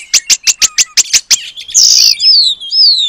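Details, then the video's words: Oriental magpie-robin singing gacor, imitating the long-tailed paradise bird as song material: eight sharp clicks in quick even succession, then a harsh rasping note and two loud downslurred whistles. "Kacer Gacor Materi Burung Surga Ekor Panjang"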